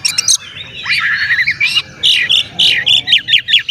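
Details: Oriental magpie-robin male singing a lively string of short whistled and squawky notes, repeated in quick clusters that rise and fall, played to stir other magpie-robins.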